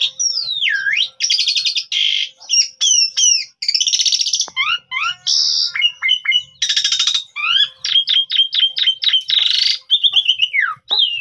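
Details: Asian pied starling of the pundung type, a lure recording meant to set other birds singing, made on a mobile phone: a rapid mix of looping whistles, harsh buzzy bursts and crisp repeated chips with no gaps.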